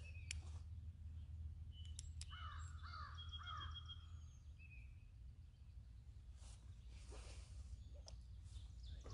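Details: Several American crows flying around at Landis Arboretum, 2020, give a brief run of harsh, downslurred caws, with thin chirps from other birds over a steady low rumble of wind.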